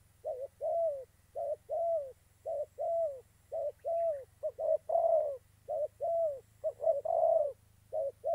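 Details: Spotted dove decoy for trapping, Gia Lai, Vietnam, giving a steady run of soft coos, paired short notes then a longer drawn note, repeated many times over eight seconds over a low steady hum.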